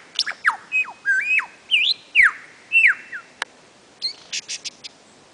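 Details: Male lyrebird singing on his fern-surrounded mound at Sherbrooke, Dandenongs, Victoria, in April 2008: a rapid, varied run of loud slurred whistles, rising and falling sweeps and sharp clicks, then quick chipping notes. Faint forest hiss behind.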